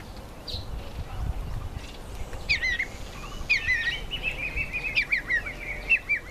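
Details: Red-faced mousebirds in a nectarine tree, giving clear whistled calls that slide downward, repeated in short runs over steady low background noise.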